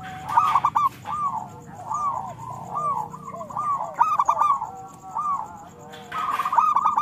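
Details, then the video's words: Local zebra dove song used to prompt reluctant doves to sing: rapid bubbling, stuttered coo phrases in bursts, with a quiet pause after about five seconds before another phrase starts. "Perkutut lokal gacor Suara Besar Panggilan Perkutut Agar Bunyi"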